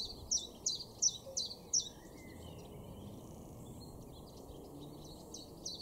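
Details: Common Chiffchaff in May 2022 in a garden at Weener, East Frisia, northwest Germany, giving five bright, high notes in quick regular succession, then fainter distant notes, with constant low environmental noise.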